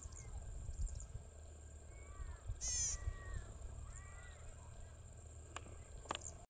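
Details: Golden-headed cisticola (Cisticola exilis) at Mannus Lake, Tumbarumba, New South Wales, Australia, 20 May 2021, gives a short harsh buzz with thin slurred notes, over a high insect drone and low wind rumble.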